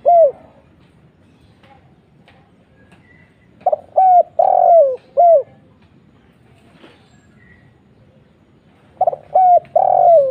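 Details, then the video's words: Spotted dove cooing meant to lure other doves to answer; two phrases of hollow coos, short notes leading into a longer descending coo and a brief closing note, with faint softer cooing between. "SEMUA LANGSUNG NYAUT..!!! suara burung tekukur kuk 1"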